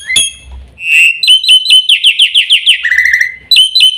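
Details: Black-winged myna: an opening harsh whistle, then a string of loud, ringing chirps sliding downward into a lower buzzy trill, and finally a short burst of high, sharp notes.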